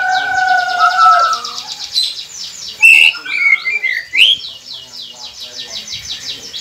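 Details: White-rumped shama song played to prompt quiet captive birds to start singing: long clear whistles, then rapid buzzy trills and sweeping notes with a steady high rattling in the background.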